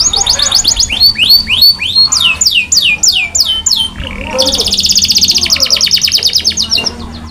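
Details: Canary song with a run of clear whistled notes sweeping downward, each repeated about every third of a second, then a brief pause and a rapid, dense, high trill lasting over two seconds.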